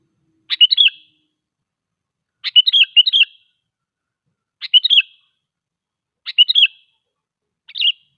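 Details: Sooty-headed bulbul song, used as a lure to draw wild bulbuls closer and to prompt quiet birds to sing: short bubbly phrases of liquid warbled notes, repeated about every two seconds against silence.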